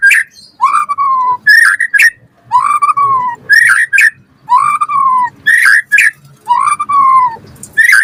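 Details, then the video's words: White-rumped shama in full song, used as a lure to prompt other shamas to reply: a repeated pattern of clear, low, slightly falling whistles, each followed by sharp high clicks, about every one to one and a half seconds. "Pancingan Murai Batu Gacor Auto NYAUT cepat Bunyi"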